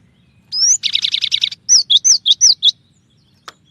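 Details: Song of a cinereous tit, a clear training recording with shot-like variations: a rising whistled slur and a rapid rattling trill, then five emphatic high-low double notes, ending with one isolated tick.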